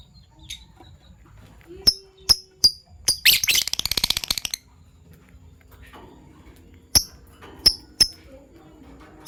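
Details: Pet Fischer's lovebirds in violet and gold opaline colours chirping in the morning: crisp high chirps spaced under a second apart, broken by a rapid rattling buzzy burst, with quiet soft twitters between.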